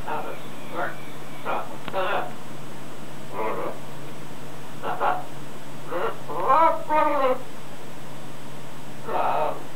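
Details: Male pet macaw practising learned words such as Hello, Hola and Step Up outside: a string of short, rasping syllables in uneven rhythm, some wavering and harmonic, over a steady low hum.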